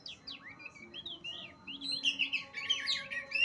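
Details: Oriental magpie-robin (kacer) in full song at Utan Kayu, Matraman: a continuous stream of varied whistled phrases, sliding up and down, that grows louder and denser toward the end, over a low steady background hum.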